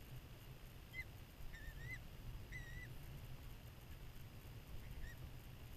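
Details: At a New Jersey nest site in spring, where a motion-activated camera records adults entering and leaving the nestbox, a Peregrine falcon gives five or six short, slurred, whining call notes, some in pairs, over a low rumble of wind or traffic.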